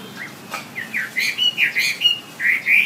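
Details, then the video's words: Wambi song used to train songbirds: lively chattering series of short slurred whistles, rising and falling, delivered in quick bursts roughly three to four per second, loud and clear. "Suara WAMBI"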